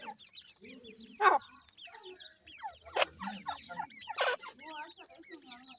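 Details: A brood of black francolin chicks chirps busily, short slurred high notes tumbling over each other, broken by a few sharp loud clicks or knocks and faint lower murmuring.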